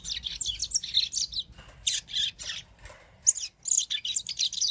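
Double-collared Seedeater singing a fast, high, twittering song of buzzy chirps and trills, delivered in rapid bursts with brief pauses.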